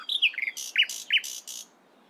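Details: Brief nightingale phrase in the morning: a few slurred whistles, then alternating sharp downswept notes and harsh, noisy strokes, fading after under two seconds.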